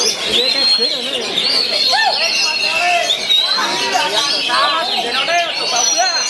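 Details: Oriental magpie-robin at a songbird contest in Wiradesa, Pekalongan, Central Java, 14 July 2024, sings a rich, varied stream of clear whistles, rising sweeps and quick chirps, over crowd chatter, applause and other singing birds.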